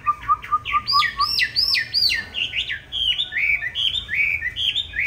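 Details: Chinese hwamei, green-bean-eyed type, singing a fighting song used as a training model: a quick series of short repeated whistled notes, then loud swooping high phrases and a fast chattering run of varied notes.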